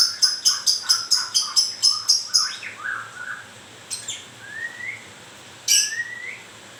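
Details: Moulting white-rumped shama with grewek-style calling: about nine quick, harsh, high-pitched notes in a rapid rattling series, then scattered rising whistles and a final sharp note after a pause.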